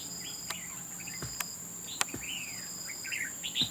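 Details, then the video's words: Red-whiskered bulbul fighting at a bird trap, giving scattered chirps and an arched, sliding phrase, while loud clicks or taps and a steady shrill insect drone sound in the background. "Bẫy đấu chào mào"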